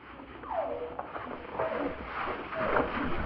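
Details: A wild New Zealand pigeon (kererū), likely near Akaroa, gives three soft, falling notes about a second apart over a steady hiss; the recording is slowed to 33.3% of natural speed.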